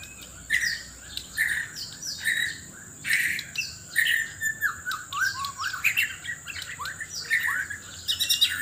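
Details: ['White-rumped shama, Sabah, Borneo, singing loudly while seeking a mate: bursts of sharp notes roughly once a second, then downward-sliding whistles, against a steady thin high tone.']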